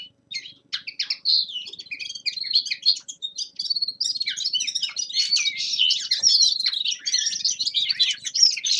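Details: Young male common linnet's winter warm-up singing: spaced chirps at first, then building into a long, dense, fast twittering with trills and buzzy notes.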